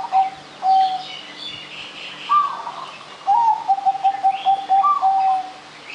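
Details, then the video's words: Zebra dove in full song, meant as a lure to prompt other birds to sing: spaced bursts of stuttering coos, each opening on a higher note and then falling into quick level notes, with soft chirping from other birds behind. "anggungan perkutut gacor. cocok buat pancingan"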